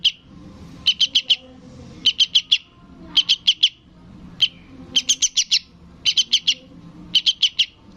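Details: Young sooty-headed bulbul chick calling its parent: bursts of three to five short, harsh, high chirps in quick succession, repeated roughly every second, with brief single notes between bursts and quiet low background murmur.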